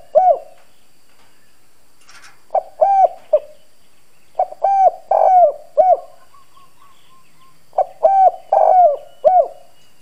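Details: Decoy spotted dove cooing repeatedly in a hoarse bronze voice to lure and excite wild doves: about four phrases of short and drawn-out low notes, each closing with a falling slur, with brief pauses between.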